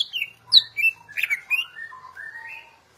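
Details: Greater green leafbird, described as a national champion singer used as a tutor for other birds, delivering a varied phrase of sharp high whistles, squeaky slurred notes and softer warbled descending tones.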